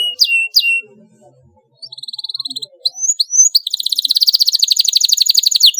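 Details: Canary song for training young birds to sing: two sharp falling chirps, a pause, a short buzzy trill and scattered slurs, then a long rapid rolling trill of high notes.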